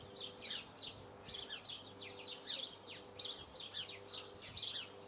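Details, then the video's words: Eurasian blue tit song: bright, high chirps in quick, slightly uneven runs of down-slurred notes, repeated through the stretch, over a steady low hum. "Birds song - Marvelous song of Blue tit."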